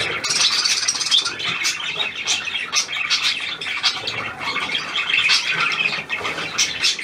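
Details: Hand-tame pied Australian budgerigar, new to its keeper, 17 February 2023: steady busy warbling of fast high chirps, clicks and rasping squawks, with no pauses across the whole stretch.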